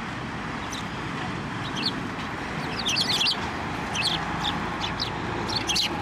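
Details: Sparrows feeding from a hand at a Tenmangu shrine on 15 November 2023; quick bright chirps in small clusters across a broad, hissing background noise.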